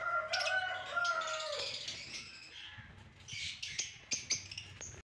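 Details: Albino red-eyed lovebirds chatter in shrill, high chirps and harsh squeaks, with a short run of tonal whistles at the start and busier overlapping chatter near the end.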